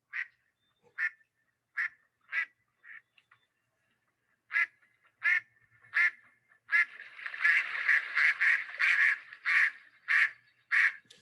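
American black duck quacking loudly, just like a mallard: spaced single quacks at first, then a fast, nearly continuous run of harsh quacks in the final seconds.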